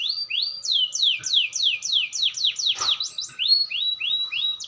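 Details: Canary learning to roll, singing clearly: a series of falling slurred whistles about twice a second, a brief noisy burst midway, then shorter rising notes.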